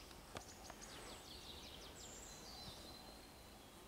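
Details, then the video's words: Tree pipit song in woodland of the Drewnica Forest District, 12 June 2022: a short run of high, sharp chipping notes followed by drawn-out thin whistled notes, faint against broad background hiss with a few soft knocks. "Śpiew świergotka drzewnego"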